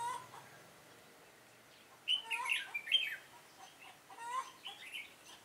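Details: Decoy red-whiskered bulbul singing a fighting song during a trapping session in Vietnam, 7 September 2018: two loud bursts of quick, chattering whistled notes separated by a quiet gap.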